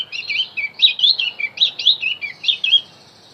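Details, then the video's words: Continuous high warbling from a Javan grey-throated white-eye, used to draw in wild birds: bubbling, rising and falling whistled notes repeated steadily for about three seconds. "opior Jawa pasti nyaut pancing dengan Opior Jawa ini"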